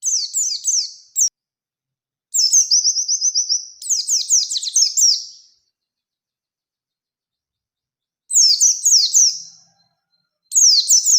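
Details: Oriental white-eye, a lively bird singing in wild style, used to provoke another white-eye into answering a rival: high, rapid twittering phrases of descending slurred notes in bursts of one to two seconds, separated by silent gaps.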